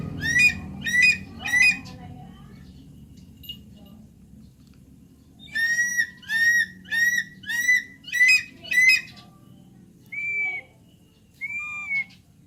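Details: Javan pond heron (Ardeola speciosa) gives a series of harsh, nasal squawks. Three come close together, then six more follow at roughly half-second intervals, and two softer, thinner calls close the sequence. Quiet background.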